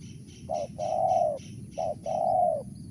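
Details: Mersik-style calling of a wild spotted dove: two cycles of a short coo and a long smooth coo, with faint high chirps from another bird in the background.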